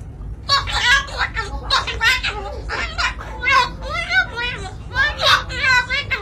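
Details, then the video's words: Two cockatoos squabble while sharing a cracker, trading rapid, harsh, speech-like "cursing" chatter in bursts roughly every half second, with rising and falling inflections like angry talking. "Cockatoo cursing over Cracker"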